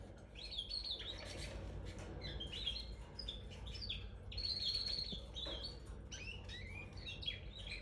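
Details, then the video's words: A red factor canary chirps almost nonstop in quick, high, twittering bursts of varied notes, over a steady low background hum. "red factor canary chirping sound"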